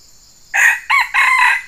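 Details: Wild Sumatran red junglefowl (Gallus gallus) gives a brief clipped crow in three loud harsh bursts, the last drawn out, over faint hiss; it came to fight a decoy rooster set out to lure it.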